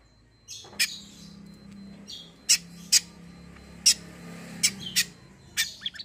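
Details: Greater green leafbird in lively song: loud, piercing high notes spaced irregularly, with buzzy warbled phrases between them. A steady low drone runs through the background.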